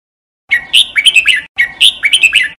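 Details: Singing training of a red-whiskered bulbul (jambul bulbul): a cheerful warbled phrase of rising and dropping whistles, repeated twice almost identically.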